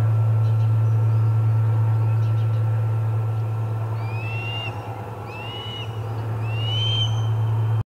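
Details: At the Charlo osprey nest during the first food delivery of the day, 25 August 2020: after a quiet stretch, three loud upslurred whistled chirps about a second apart, with a deep steady hum throughout.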